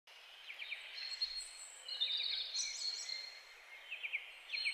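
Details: European goldfinch (Carduelis carduelis) singing: a high twittering run of quick chirps and short trills, with a brief sliding whistle near the middle, over a steady hiss of background noise.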